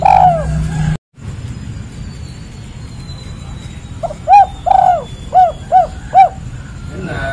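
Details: Spotted dove (tekukur, derkuku) giving a 'kuk 3' style call: one soft falling coo, a pause, then five short, mellow cooing notes about half a second apart, over a steady low hum.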